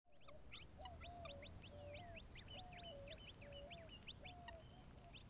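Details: Eleven quail chicks drinking at a desert pond on an Arizona afternoon: dense, quick high chirps and short upslurred peeps overlap continuously, while a lower, drawn-out call repeats about once a second beneath them, over a steady background rumble.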